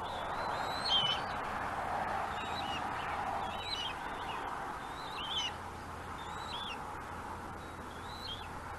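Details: Bald eagle pair at a Gabriola nest, one mantling prey as the other waits for a chance to steal; soft, high twittering whistles scattered through the recording above a broad hiss.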